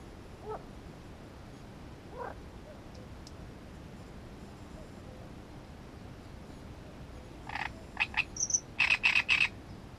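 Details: Mostly quiet marsh background with two faint rough notes early, then a great reed warbler bursts into loud harsh grating syllables with a high squeak near the end.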